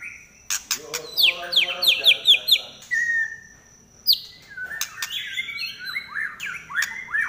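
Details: White-rumped shama in shrill trek song, a kept bird: a fast series of about six sharp downslurred whistles, a lower whistle, a brief pause, then varied chattering, looping phrases.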